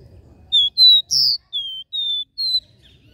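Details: Regional three-note "dó ré mi" song of a capped seedeater: a crisp sequence of six loud, pure whistled notes, one rougher and buzzier, all within about two seconds in quiet surroundings.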